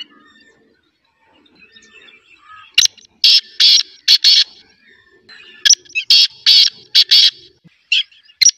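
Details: Black francolin (kala teetar) calling: two phrases of loud, harsh, rasping notes, five or six grating bursts each, separated by a pause, with faint background chatter of other birds.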